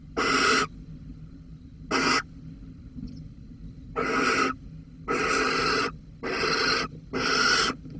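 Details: Six harsh, breathy hissing bursts from a barn owl, Holten, the Netherlands, 13 May 2020, with a mouse at stake; the bursts come in quick succession, the later ones longer and closer together.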